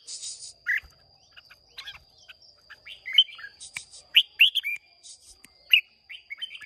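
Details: Competitive singing by a red-whiskered bulbul of Hòa Bình origin, Vietnam, 30 May 2023: rapid cluster of clear whistled and chirping notes, loudest near the middle, with brief hissy bursts and a steady high background tone.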